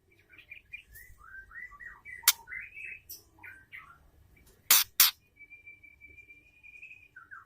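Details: Female white-rumped shama calling to stimulate males into singing: soft, varied whistled and warbled phrases, one long steady high whistle, and several loud sharp clicking knocks.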